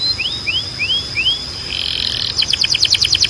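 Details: Training canary song: four upward-sweeping whistled notes in quick succession, a brief buzzy rasp, then a rapid pulsing trill of bright repeated notes. A faint steady high tone persists.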